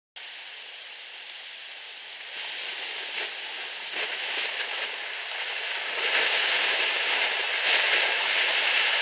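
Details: A bright, sizzling crackle like rain or frying grows louder over the recording, with no animal calls.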